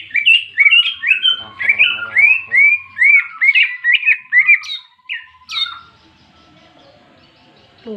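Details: A greater green leafbird delivers ngentrok jenggrik fighting song intended to provoke other birds: a run of about fifteen clear, down-curving whistles, each roughly a third of a second apart, ending in a high squeak before quiet.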